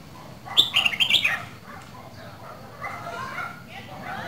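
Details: Red-whiskered bulbul from Dak Lak, a kept bird of two seasons, gives one loud burst of quick whistled notes around half a second to one and a quarter seconds in, falling in pitch, followed by softer, quieter warbling and faint background hum.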